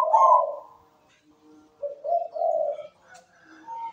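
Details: Zebra dove (perkutut) singing sweetly from its perch: a loud rolling coo at the start, a quiet pause, then two low, burry coo phrases and softer trailing notes.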